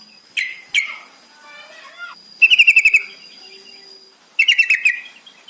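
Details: Yellow-vented bulbul song used as a lure to make captive birds sing: bright chattering phrases, then rapid bursts of about eight bubbly repeated notes, loud and clear, separated by short quieter gaps with a steady faint tone behind.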